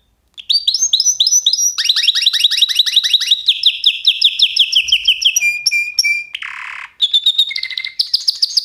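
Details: Canary song with fast repeated sweeping notes, a dense rolled tour, steady whistled notes, a short harsh buzz, then more trills and clear repeated notes.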